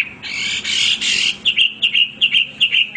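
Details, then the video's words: Hwamei song opening with a harsh, noisy rasping burst, followed by short, clear whistled notes repeated about two or three times a second. "wambi gacor berkicau tanpa henti"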